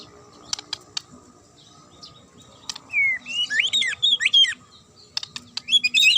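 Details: Provoking song of a Magpie-robin, meant to draw an angry reply from other birds: a rising whistle leads into dense, tangled, buzzy phrases, with scattered clicks and a final bright flourish.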